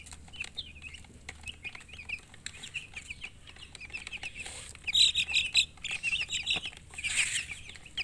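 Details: Baby chicks chirping: scattered high peeps at first, then louder, denser bursts of shrill chirps in the second half.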